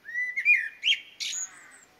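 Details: Garden blackbird in Somerset, recorded during lockdown, delivering a mellow rising-and-falling fluted phrase, a brief bright flourish, then a high squeaky twitter at the end of the phrase.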